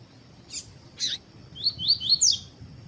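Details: Double-collared seedeater (coleiro, papa-capim) singing in the tui-tui style, played to warm up other birds to sing: two high chip notes, then a quick run of thin whistled slurs rising and falling, over a low background hum.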